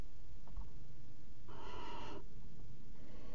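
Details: Nest box barn owl at the Axel water tower, pair mating on the edge, 5 February 2018: a single breathy, noisy hiss of about seven tenths of a second over a quiet, steady background.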